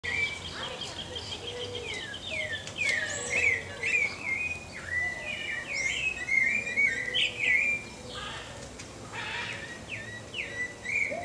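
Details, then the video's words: Pale-breasted thrush, a bird found across Brazil, singing a varied run of clear whistled phrases, many sliding up or down, with short pauses between groups, over a steady soft background hiss. "CANTO do SABIÁ-BARRANCO (TURDUS LEUCOMELAS) PALE-BREASTED THRUSH"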